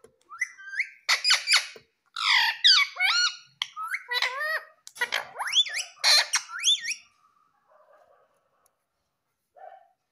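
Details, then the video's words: Female Indian ringneck parrot talking in Hindi, saying "mummy". Harsh, harmonic squawky bursts with quick rising and falling inflections, several word-like phrases over about seven seconds, then near silence with faint indoor noise. "Parrot Taking In Hindi Mummy _ Ringneck Parrot Sound Femail"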